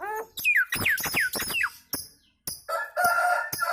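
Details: Nias hill myna chattering kemrewek style, other birds answering: loud swooping whistles falling in pitch repeated four times, a sharp click, then a harsh buzzy harmonic stretch.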